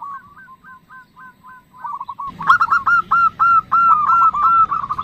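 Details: Female zebra dove nutut calling to a male: a quiet series of spaced, curved notes, then a louder, fuller run of rapid hooked coos over a low background hiss.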